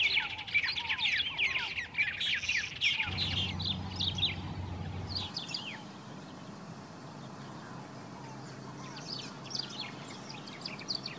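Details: White-rumped Tanagers (Cypsnagra hirundinacea) at Campo Maior, Piauí, Brazil, on 08/10/2018 give a busy chatter of high, sharp chirps, about two a second, thinning out, over a brief low rumble.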